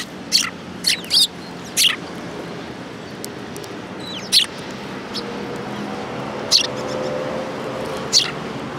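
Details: Flock of sparrows gathered at food at a Tenmangu shrine, January 22, 2018, giving short, bright chirps, a quick cluster of four near the start, then scattered single notes, with a low hum underneath.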